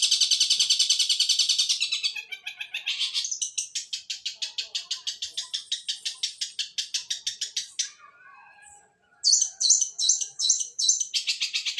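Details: Fighting long-tailed shrike giving sparrow-style song: a dense rapid chatter of high rasping notes that runs on steadily, drops out briefly near eight seconds, then resumes loudly with stuttering bursts.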